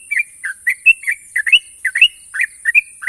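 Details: National champion sooty-headed bulbul singing its long, sharp ropel: quick chirpy two-part notes, rising then dropping, repeated about three per second over a steady high hiss.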